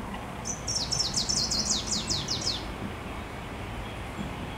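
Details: Spring visitor in Warsaw, Poland, 9 June 2023: a wood warbler sings one accelerating phrase, high ticking notes running into a fast metallic trill of dropping slurs for about two seconds, with a soft hum underneath.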